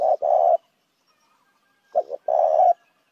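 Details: Spotted dove lure call: two loud phrases about two seconds apart, each a short note or pair of notes followed by a long grating coo.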